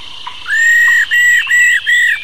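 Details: Old wild-caught female white-browed laughingthrush singing in the 'rò' style, played to stimulate male birds; loud, level whistled notes held about half a second each, repeated four times with short gaps, with faint background hiss.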